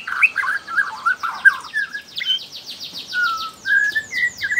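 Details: Young wild white-rumped shama from Borneo singing as a lure for other shamas: a rich run of warbled notes, then sustained whistles, overlaid by a fast repeated high sweeping trill.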